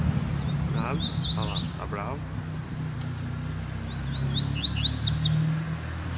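Double-collared seedeater singing the tic-tac type: quick bursts of high, sharp twittering notes with buzzy slurred phrases, over a steady low rumble of background noise.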